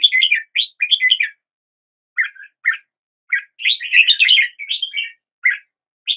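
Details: Red-whiskered bulbul singing: bursts of bright, warbled chirping notes in short phrases separated by brief pauses, with faint high overtones; no other sounds.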